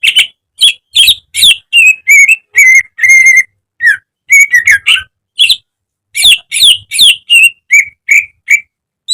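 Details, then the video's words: Training song of a caged greater green leafbird for daily singing: a rapid, varied stream of sharp whistles, buzzy trills and steady whistled notes, several per second with brief gaps, with a clean background. "Masteran cucak ijo agar cepat rajin bunyi~gacor setiap hari"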